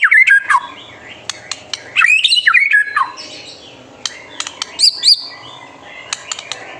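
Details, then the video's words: White-rumped shama master song for provoking young birds: bursts of rich, warbled whistles separated by pauses, with sharp ticking clicks scattered between the phrases and a very high whistled note near the end. "MASTERAN MURAI BATU GACOR SANGAT COCOK UNTUK MEMANCING EMOSI MURAI BATU MUDA ATAU TROTOLAN AGAR CEPA"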